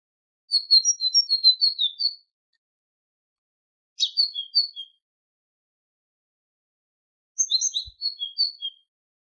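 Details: Tit song on a goldfinch tutoring tape: a lively run of high alternating whistled notes for over a second, then two shorter phrases, one opening with a buzzy rasp, separated by silent gaps.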